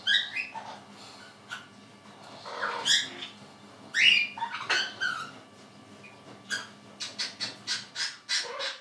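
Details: Two orange-winged amazons in spring, noisy from time to time, give harsh squawks and sharp whistled notes, then a quick run of short repeated chirps near the end.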